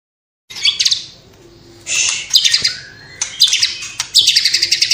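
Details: White-rumped shama from Cililin in full song, its repertoire filled with copied sparrow, fighting lovebird and sooty-headed bulbul calls; short loud bursts of high, scratchy chattering notes separated by brief quieter gaps.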